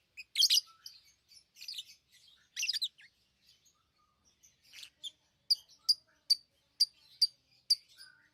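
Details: Harsh, buzzy chirps from pet lovebirds open the sequence, then after a short lull a regular run of sharp, clipped high notes repeated roughly every half second.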